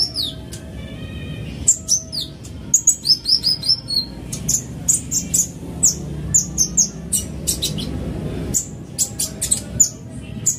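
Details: Van Hasselt's sunbird fast lure sound: rapid sequences of high sharp chips, buzzy descending slurs and thin whistles, continuing for about ten seconds with brief pauses.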